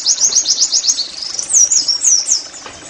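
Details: Oriental white-eye (pleci) 'nembak' song, played as therapy for caged birds: quick, high upswept chirps, then three or four drawn-out, looping whistled notes sliding downward.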